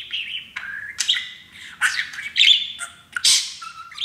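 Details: Pet parakeet chattering learned English phrases while standing on his new playground; quick grating syllables and squeaky notes in irregular bursts, indoors.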